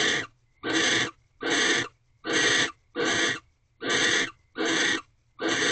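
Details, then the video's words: Nighttime mating of barn owls in an owl box, 2:38 am, 15th night, one egg present; eight loud, breathy, rasping screeches in a steady series of roughly one-second bursts with short silent gaps. "Barn Owls Mating 15th Night"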